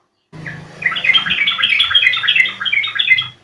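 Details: Yellow-vented bulbul call played to lure birds into answering and singing: dense bubbly chattering of quick, gurgling notes, steady for about three seconds, with a faint low hum underneath.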